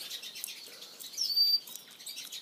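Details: A female black siskin gives thin, high twittering calls, with one clearer sharp whistled note midway, over a soft background hiss.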